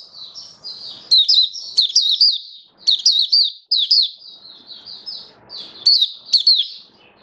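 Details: On its first day with a song-display booster, 21 October 2022, a caged oriental white-eye delivers thin high warbling twitters in bursts, many notes sliding downward, over a soft low background hum.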